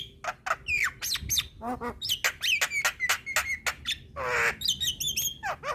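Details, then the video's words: Black-winged myna, white-eyed, nodding captive singer used as a training model: varied jumble of sharp clicks, falling whistles, croaky rattles and a long harsh rasp, delivered fast and continuous. "Jalak Kebo gacor Suara Asli / Masteran Jalak Kebo Mata Putih / Masteran Jalak Kebo Manggut2"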